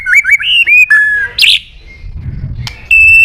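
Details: White-rumped shama singing, meant to provoke other birds to sing: a few quick warbled whistles and a short harsh burst, a near-silent pause, then one pure sustained whistle.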